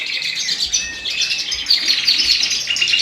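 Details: Native finches in a birdroom are in full song in March, ahead of the breeding season, making a dense, high twittering chorus of quick chirps and trills with no other sounds standing out.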